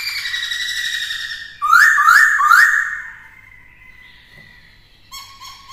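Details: Song of a black-throated laughingthrush in varied voices, played to train a young bird: a sustained whistle leads into three fast, rising slurred whistles, followed by a long, level tone that trails off, then faint ringing notes.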